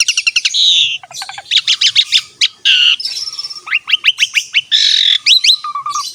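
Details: Asian pied starling song used as a prompt for young starlings: rapid stuttering notes, buzzy bursts and a string of sharp upward-sweeping chirps, ending in low flat whistles.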